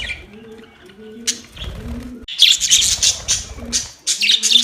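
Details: Playing budgerigars: after a quiet start with soft low cooing underneath, a loud burst of high, scratchy chirps and chatter fills the second half, broken by a short pause.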